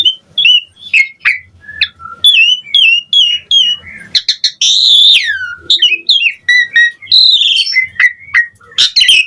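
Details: Asian pied starling in full, varied song. Clear whistled notes and chirps at first, then a loud rising-and-falling slurred whistle in the middle, ending with mixed squeaky phrases and sharp clicks.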